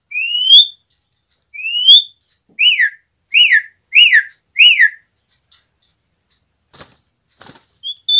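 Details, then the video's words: An Asian pied starling sings easily as a lure for other starlings: two rising whistled slurs, then four sharp descending whistles in quick succession, a pause with soft clicks, and a final short whistle. "jalak suren gacor ngoceh santai cocok buat pancingan jalak suren"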